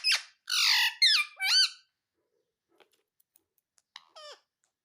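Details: Indian ringneck parakeet, a talking pet bird in India, giving a burst of harsh, buzzy squawks with wavering pitch, then silence and a short, fainter squawk near the end, indoors.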